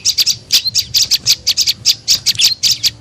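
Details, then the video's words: Tailorbird (prenjak lumut) call used as a lure to attract birds, short burst of quick, high, sharp chirps in steady rapid succession over a faint low background hum. "SUARA PIKAT BURUNG PRENJAK LUMUT PALING AMPUH"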